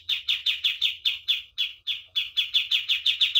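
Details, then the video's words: Common iora, master recording for training birds: loud repeated chipping notes with a short gap midway, the notes speeding up into a tighter, faster series at the close. "MASTERAN KAPAS TEMBAK GACOR DOR"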